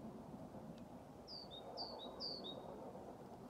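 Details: Great tit singing in Haga, Sweden, on 21 February 2023, with a blue tit joining in occasionally: three quick two-note phrases, each a high note dropping to a lower one, about twice a second, over a steady low traffic-like hum.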